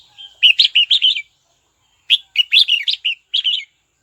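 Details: Red-whiskered bulbul singing to call a rival: two rapid, bubbly phrases of five or six bright, warbling notes each, with a brief pause between them in a quiet setting.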